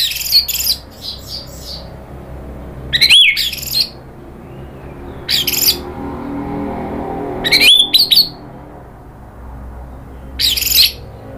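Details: Caged orange-headed thrush in Indonesia, stirred up by a provoking recording, gives harsh rattling bursts with squeaky high notes, about five clusters spread over eleven seconds with quiet gaps between.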